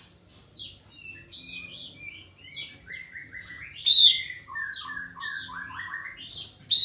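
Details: Pied fantail (kapas tembak) song in the 'bukor mbeset' style, used as a lure to call a rival and make fantails spread their tails: quick runs of high chirps and short sweeping notes falling in pitch, over a steady faint high-pitched tone.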